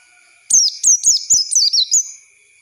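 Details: Oriental white-eye singing as a training lure for young birds, a single quick phrase of thin, bright, downward-slurred chirps lasting about a second and a half, over a faint constant electronic-sounding tone.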